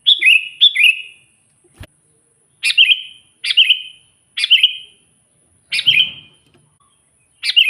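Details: Sooty-headed bulbul in lively song, calling out to provoke wild rival bulbuls, natural voice without mixed-in songs: seven short bubbly phrases, each a sharp note sliding into a liquid warble, given in pairs and singly with brief pauses, one faint click.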